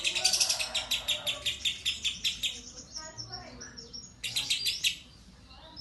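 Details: Singing lovebird in competition, its song fill turning the judges' heads: a fast series of sharp high chirps, slowing and fading, then a sudden loud burst of chirping before quiet.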